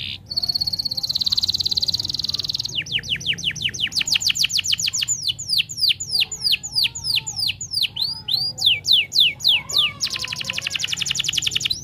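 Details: Domestic canary singing a masteran (tutor song) meant to make other canaries sing. A buzzy rolled note opens, then a run of rapid downward-sweeping whistles changes pace through varied tours and ends in a fast, dense roll.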